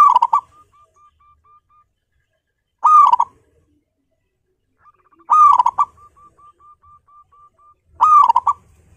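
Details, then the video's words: A local zebra dove with a big voice repeats a loud, rolling coo about every two and a half seconds, each trailing into a soft run of quick, even notes, played to stimulate other doves to sing. "PERKUTUT LOKAL GACOR PALING GACOR SUARA BESAR"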